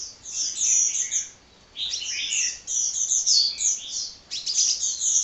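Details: Energetic, unending song of a hummingbird, made of shrill scratchy twitters in rapid clusters, a short pause midway, then more fast chatter.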